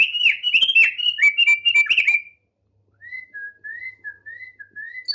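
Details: Thick-billed heleia, a tame male singing in full voice: a rapid run of bright whistled notes with sharp clicks, then after a pause a soft series of short rising-falling whistles repeated about every half second.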